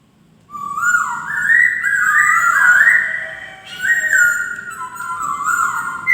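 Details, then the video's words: White-crested laughingthrush in continuous melodious song, a flowing chain of fluty whistles gliding up, wavering at the peak, then stepping down through lower notes. "BURUNG POKSAY DENGAN BERKICAU MERDU"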